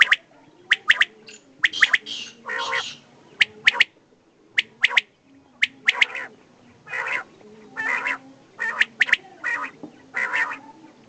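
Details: Common quail, known locally as desi batair, with male and female present: harsh clipped notes in clusters of two or three, mixed with longer rasping bursts, repeating steadily over eleven seconds against a quiet background.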